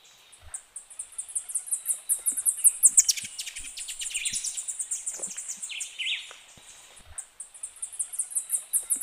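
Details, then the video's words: Black-crowned palm-tanager song: a long run of very high, thin chipping notes in quick rapid series, swelling into a dense twittering burst midway with some lower slurred notes, then fading and resuming with fresh chip series. "O canto da Saíra de coroa preta ( Phaenicophilus palmarum )"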